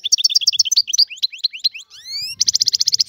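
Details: Free Algerian European goldfinch song: evenly repeated paired chirps, then a string of upslurred whistled notes and rising sweeps, ending in a fast, even, buzzy trill of about a dozen notes.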